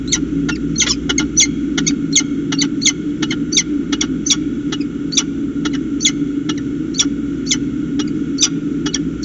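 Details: Peregrine falcons calling to each other at the nest, Orange, NSW, 25 July 2019; a quick, uneven stream of sharp, ringing chip notes, several each second, over a persistent low-frequency hum.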